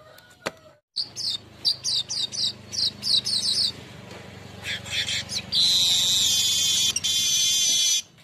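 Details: Golden-headed weaver lure song for cage-bird training: quick series of clipped high chips and buzzy notes, building into a long, continuous, hissing buzzy trill lasting nearly three seconds before stopping.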